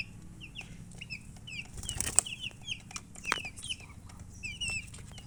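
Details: Chicks peeping in short, high, downward-sliding notes spaced apart, with a burst of wing flapping or rustling near the middle and a steady low hum underneath.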